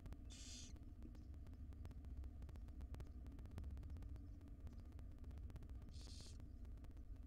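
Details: Barn owl nest box with a wild female feeding her tiny young; two short, breathy screeching hisses about six seconds apart, separated by quiet stretches of low hum and light clicking.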